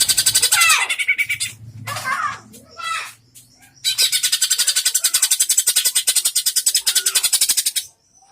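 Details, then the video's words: Greater green leafbird (cucak ijo) in a song-competition and mental test against another cucak ijo: varied whistled phrases and sliding notes, then a long, fast run of sharp high notes, nearly four per second; faint human voice behind. "GAYA NAKUTI LAWAN CUCAK IJO"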